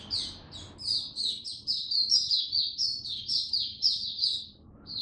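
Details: In cold, rainy weather a caged oriental white-eye delivers a steady, rhythmic series of bright, high chirping notes, roughly three per second, then briefly pauses before resuming.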